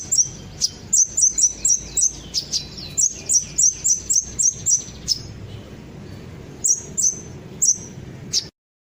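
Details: Kolibri ninja sunbird lure song for making birds join in: a run of quick, piercing high chirps at a fairly even pace, then a pause and a few spaced final notes before the sound ends abruptly.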